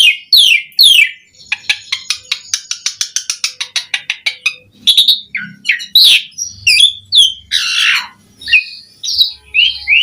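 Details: Asian pied starling singing sharp whistles followed by a fast, even series of about twenty clicking notes, then harsh squawks and slurred whistles.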